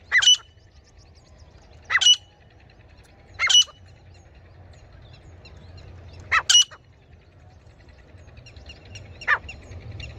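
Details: Female grey francolin call, played as a hunting lure: short sharp high notes in separate bursts about every one and a half to three seconds, some doubled, over a low steady rural background rumble.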